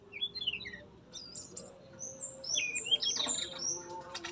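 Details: Male yellow-rumped flycatcher kept in a breeding cage, singing actively while opening its bill and flicking its tail; high thin whistled phrases and quick chirps, some sliding downward, in a loose run with faint background murmur.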